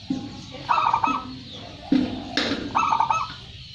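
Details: First-place champion local zebra dove in lively song: two quick bubbling, trilled coo phrases with a deeper soft note and a sharp click between them.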